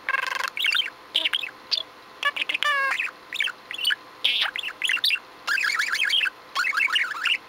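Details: Pet budgerigar, especially chatty, recorded indoors on 6 February 2015, giving a continuous warbling chatter of quick wavering notes, clicks and short buzzy bursts, with a steady background hiss.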